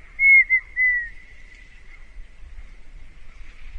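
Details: Red-winged tinamou (Rhynchotus rufescens) song: a pure, flute-like whistled phrase, a clear note, a brief one, then a longer slightly falling note, over faint low rumble.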